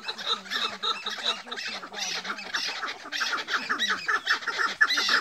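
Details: Chukar partridges in a clash trade loud, harsh chucking calls, rapid and overlapping, as rival males answer one another.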